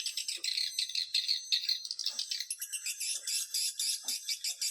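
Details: Swiftlet lure call for attracting swiftlets: harsh, buzzy chirps repeated about twice a second in uneven bursts, over a constant high twittering.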